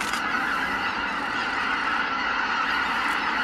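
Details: Greater white-fronted geese leaving their roost, a dense, unbroken chorus of many overlapping honking calls from a large flock, with no single voice standing out.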